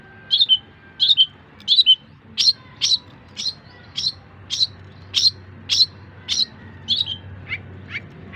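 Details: Long-tailed shrike singing in tutor material for other songbirds: a few quick paired chirps, then single sharp, high notes spaced just over half a second apart, with faint low hum behind.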